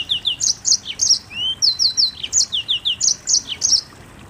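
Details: High rhythmic chirping from a Mozambique canary in the 'nembak rapat' singing style, paired sharp notes repeated about four times per second with one rising whistled slur midway.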